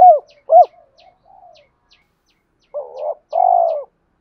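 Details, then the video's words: Spotted dove used as a decoy to spur fighting and mate-calling in a reluctant wild-caught bird: two short arched coos with soft trailing notes, a pause, then two longer wavering burry coos. "tiếng cu gáy mồi thúc đấu và gáy gọi hậu hai"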